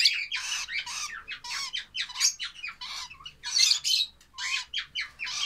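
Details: Lovebird chicks give a rapid run of harsh, raspy squawks, each short and broadband, packed closely together with brief gaps and a few rising chirps mixed in.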